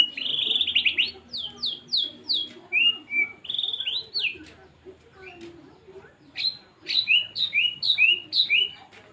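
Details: Murai batu, the white-rumped shama, sings 'tembakan' bursts: series of three to five sharp rising-falling whistles, a warbled phrase, then more rapid repeated whistled notes, loud and clear over quiet background.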